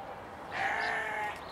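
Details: Captive swan goose, one of a pair recently moved into an open-air enclosure, gives a single drawn-out nasal honk of under a second, rich in stacked harmonics, against a steady hiss of background noise.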